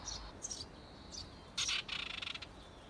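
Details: Adult Eurasian tree sparrows at a nest box, coaxing 17-day-old nestlings to leave. Several high chirps, then a loud, harsh, noisy burst followed by a fast fluttering chatter.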